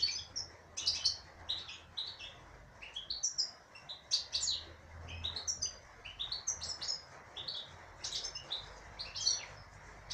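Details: Female European goldfinch delivering a continuous, lively twitter of high chirps, slurred notes and scratchy trills, phrases running almost without break over a faint low hum.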